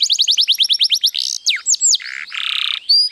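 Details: White canary singing at length: a quick series of rising whistled notes repeated about ten times a second, then swooping slurred whistles and a broad buzzy rattle, ending in a high thin note.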